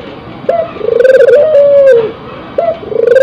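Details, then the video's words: Tekukur–puter cross dove in breeding condition calls with a rising opening note, a vibrating rolled coo and a long gently arching tone that falls away, then starts over. "Suara Burung Puter yang Memukau"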